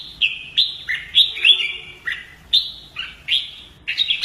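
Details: Caged Red-whiskered bulbul in fighting-song practice, giving a steady series of short whistled notes that fall in pitch, roughly three per second, bright and clear.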